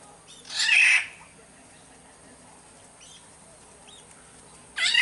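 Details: Black-naped oriole (kepodang) from Sumbawa, used as a lure sound: one loud, harsh, nasal rasping call near the start, then quiet with faint thin whistles, and a second harsh call beginning at the very end.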